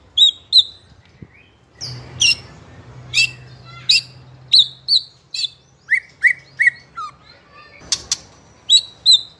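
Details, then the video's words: Young spotted-plumage White-rumped shama of the fighter type, singing non-stop (ngeplong) as a lure to provoke other young shamas into song: sharp high chips in quick pairs, then a run of falling, slurred notes, with a low hum underneath. "Pancingan Murai Trotol FIGHTER Ngeplong Bikin Trotol Lain Terpancing Emosi Ikutan Gacor"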